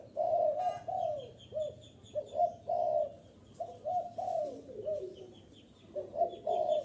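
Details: {'caption': 'Spotted dove coos played to excite and attract wild doves: strong, throaty coo notes in paired phrases with gaps between, accompanied by faint, repeated high chips from a small bird.'}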